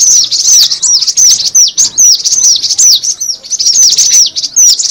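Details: Lure call of the cinereous tit. Pulsing groups of high, downslurred chirps repeat rapidly, separated by short breaks, forming a noisy, insistent chatter.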